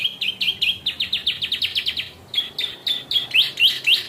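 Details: Yellow canary singing in the ciblek style: a fast run of sharp chirps repeated about four times a second, then a brief gap and louder, more sweeping rising notes.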